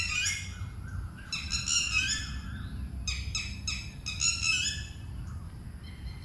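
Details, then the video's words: Red-wattled lapwing near water in a Buddhist park in Thailand, alarm calling loudly as someone approaches its chicks; harsh, strident shrieking notes in rapid bursts of three to five, with pauses between. "แต้แว้ดๆ แผดร้องดังๆ ♥ Sound of Red-Wattled Lapwing"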